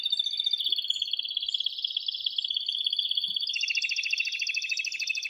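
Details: Male canary singing vigorously to stimulate a female for mating: long continuous rolling trill of quick repeated notes, shifting midway to a higher, faster pulsed rattle, with faint soft clicks underneath.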